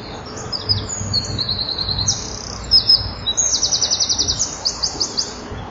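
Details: Common kingfisher at the nest, recorded 12 July 2013 at 14:01, with a small young present. Thin, high chirps run in quick, buzzy trains, strongest near the third second and from about 3.5 to 5 seconds, over a low, steady rumble.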